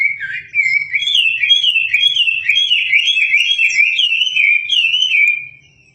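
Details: Wambi song suitable as a tutor for shamas: a continuous loud wavering whistle, rising and falling in quick undulations for about five seconds before fading.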